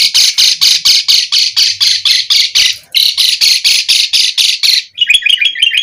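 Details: Lure song of an Asian pied starling to draw replies: a fast, even series of harsh raspy squawks, about two per second for five seconds, then a brief burst of squeaky chattering notes.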